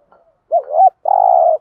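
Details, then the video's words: Single 'thúc gù' phrase of a spotted dove, a lure call to stir wild birds into cooing. A soft lead-in, then a bending two-part coo and a sustained, flat, hollow note. "tiếng cu gáy THÚC GÙ bài bản/ chim cu gáy giọng bài bản giúp bổi ức chế và gáy theo"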